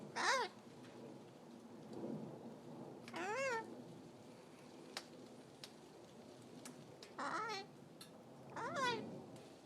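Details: A cockatoo in an orange tree on a hot summer day gives four short, voice-like "hi" calls with a wavering, warbled tone, spaced a few seconds apart over a low background rumble and a few clicks.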